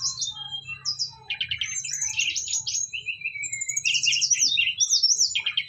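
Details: Brown-chested jungle flycatcher from Bali in persistent, vigorous song: rapid rattling trills, high whistled sweeps and descending slurs packed densely together, with a steady low hum in the background.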